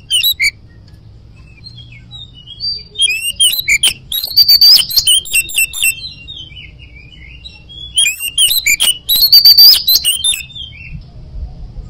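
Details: Lively 'ngoceh gacor' song of an oriental magpie-robin: soft whistled phrases alternate with two long, loud outbursts of rapid, harsh-edged chattering and bright ringing notes, separated by quieter slurred whistles.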